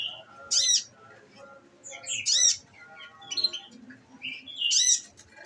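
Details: A caged olive-backed sunbird on a nectar diet delivers 'nembak' bursts. Four loud, high, sharply modulated chirp clusters are spaced about two seconds apart. Faint softer notes and a low background hum sit between them.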